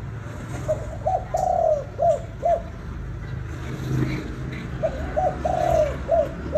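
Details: Spotted dove in Vietnam giving the kích bổi calling style: two phrases of soft mid-pitched coos, short notes, then a long drawn coo and two clipped notes, over steady low hum and background noise.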